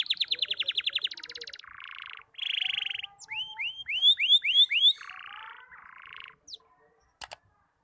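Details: Young canary learning to sing, its song still broken and unfinished: fast buzzy trills open, then a harsher rattling phrase, a run of six rising-then-falling whistled sweeps, more dense trills, and a sharp click after a pause near the end.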